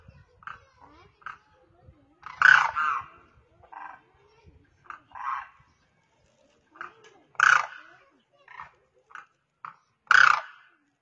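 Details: Demoiselle crane (koonj) on the ground calling to cranes in the air: loud grating rolled calls recurring every few seconds, with softer shorter notes scattered between them.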